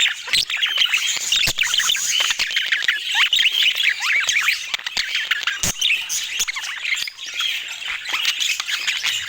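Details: Budgerigars in full chorus: a long, unbroken mix of twittering, squeaky warbles and short squawks, with occasional sharp clicks.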